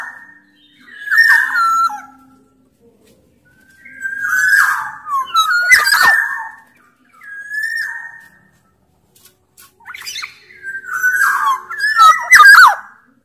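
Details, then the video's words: Black-naped Oriole from Sumbawa, a bigger form, singing steadily as a lure to make other orioles sing: repeated bursts of slurred fluty whistles mixed with harsh, rasping flourishes, separated by brief silences. "Burung kepodang sumbawa gacor"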